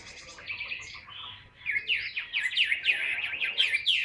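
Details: Tame caged Chinese hwamei in full song: after a quieter start, a rapid run of loud, varied whistled notes sweeping up and down, several per second.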